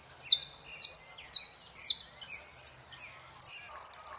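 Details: Saffron finch singing: a series of bright, high, sharply descending chip-notes repeated about twice a second, ending in a fast, even, high trill. The background is quiet, with a faint low murmur.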